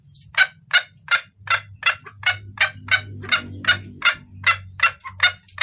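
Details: Female red junglefowl calling to the male, a clear voice suited to luring males: sharp clucking notes repeated about twice a second, around thirteen in a row, over a faint low hum.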